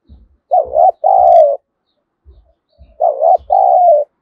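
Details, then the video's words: A decoy spotted dove used to goad wild birds into fighting gives two double coos, each a short wavering note then a longer descending one, with soft low thumps in the background. "Chim Cu Mồi Thúc Đấu/ tieng cu gay kich boi nhanh noi"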